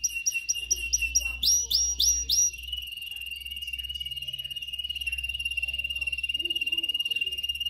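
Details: Canary singing for training young canaries: a run of separate high piping notes repeated rapidly, then a few louder bursts, then a long steady rolling trill on one high pitch with bright overtones, pulsing evenly to the end.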